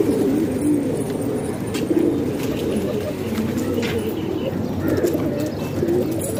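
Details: Many domestic pigeons from Pakistan, kept in a house, make a constant low cooing murmur, with short wavering coos rising out of the dense chorus.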